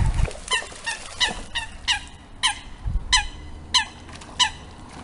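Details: Eurasian coot gives a run of loud, nasal, honking notes, roughly one every half second to second, over brief wind rumbles, as three coot chicks enter an aggressive adult coot's territory and a fight breaks out.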